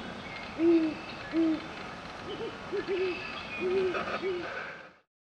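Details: Great horned owls give deep, soft hoots, two single hoots and then quicker runs of three or four: a male calls his mate, and she answers from the nest, over a faint steady hum.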